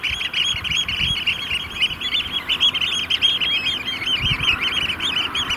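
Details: About 30 Eurasian oystercatchers displaying together beside a large water body at a Vriezenveen sand extraction site, barely 5 °C with rain and hail; steady rapid piping chorus of high shrill notes, with occasional low thuds.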